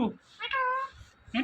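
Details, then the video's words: Talking parrot, saying the word "Mithu" indoors: one drawn-out, voice-like utterance with a steady harmonic tone, framed by short sharp fragments at either end, amid a person repeatedly saying "Mithu" nearby. "Talking Parrot Saying Mithu"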